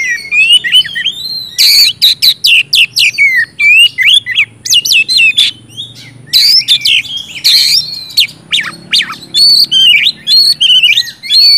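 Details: Oriental magpie-robin, called kacer, in energetic gacor song used to coax quiet birds: dense streams of whistled phrases with sharp sweeping notes, scratchy bursts and brief gaps throughout.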